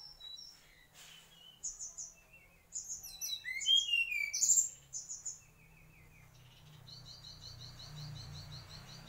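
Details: Mangrove whistler in full song: a rich jumble of varied chirps, whistles and quick trills, rising and falling, growing louder in the middle, then fading into a faint, fast repeated high twitter.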